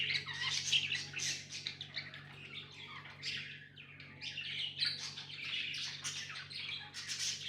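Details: Pet budgies chatter continuously, a busy mix of high chirps, clicks and warbles at moderate volume over a low steady hum.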